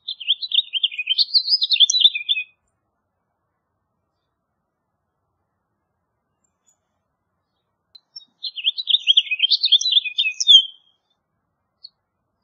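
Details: Two warbled house finch phrases, each a fast jumble of chirpy and slurred notes lasting about two and a half seconds, separated by a long silent gap.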